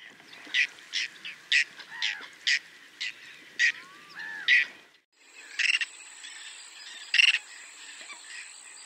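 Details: Whiskered tern from Córdoba, Spain, giving harsh, rasping notes about every half second, then a few more after a break, over a steady high insect-like whine.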